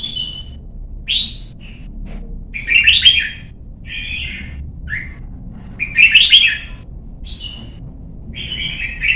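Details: Red-whiskered bulbul, a young caged bird in competition song training, alternating sharp rising chirps with rich rolling warbled phrases, two louder bursts about three seconds apart.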